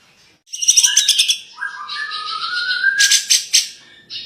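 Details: Grey-cheeked bulbul (cucak jenggot) in full gacor song, recorded for tutoring other songbirds: quick high chattering notes, then a long smooth rising whistle, ending in loud rattling bursts.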